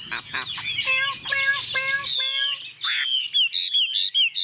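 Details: Tame Chinese hwamei singing confidently while set on a table: a series of repeated harmonic notes in sets, then loud clear whistles sliding up and down, ending in short, separated whistled phrases.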